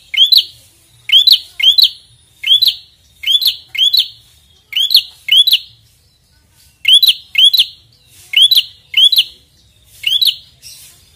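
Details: A prinia (bar-winged prinia, red-headed) gives loud, sharp chirps, each rising then snapping down, fired in quick bursts of two or three with brief pauses between.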